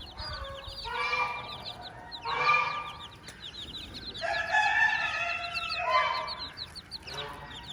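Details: Mother hen with chicks on a farm, uttering a run of long, rich, rasping calls in bursts, some stretched over a second, over constant high, slurred cheeps from the brood.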